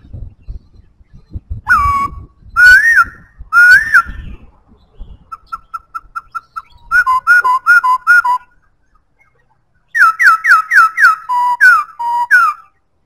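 A white-browed laughingthrush sings loud, clear slurred whistles in quick bursts, with a brief run of short even notes and some soft tapping at the start.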